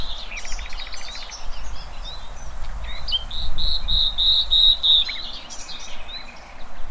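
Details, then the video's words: Birds in the wild: soft distant twittering, then a string of five loud, clear whistled notes evenly repeated, followed by fainter chirps. "Kicauan Burung Cerminkan Suasana Damai"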